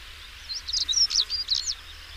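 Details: A European stonechat sings a short, rapid run of squeaky, scratchy notes lasting a little over a second, with soft low rumble underneath.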